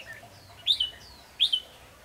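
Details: Decoy red-whiskered bulbul at a trapping site, two brief clear whistled phrases about a second apart, bright and slightly rising then falling.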